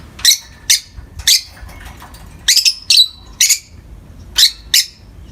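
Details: Two pet peach-faced lovebirds chattering in morning light: a steady series of about ten shrill, harsh chirps, some doubled, spaced roughly half a second apart in a quiet room.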